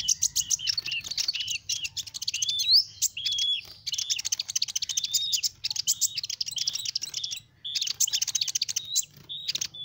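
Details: High, energetic sunbird (kolibri ninja) song for luring small birds: dense, rapid twittering trills mixed with short upslurred whistles, delivered in long bursts separated by brief pauses.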